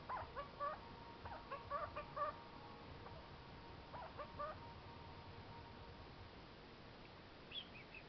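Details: A pet kakariki (New Zealand parakeet) sitting on a fridge gives bursts of nasal, chattering calls, read as begging for snacks, in the first two seconds, again near four seconds and once at the end, over a steady low hum.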